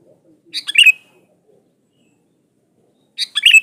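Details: Sooty-headed bulbul used as a lure: two bubbly, chattering phrases ending in a bright sliding note, separated by almost three seconds of quiet.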